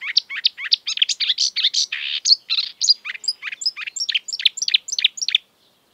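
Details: Exuberant marsh warbler, a mimic of European and African birds, pours out a rapid jumble of varied chirps, twangs and a harsh buzzy note, then a run of short high sweeps, ending abruptly.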